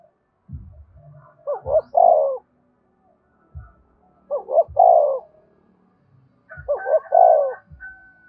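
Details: Spotted dove giving its 'thúc bổi' luring coo to draw in other doves. Three low, hollow phrases, each of a couple of quick notes and a longer, drawn-out coo, repeat roughly every two and a half seconds. Soft low knocks sound between them.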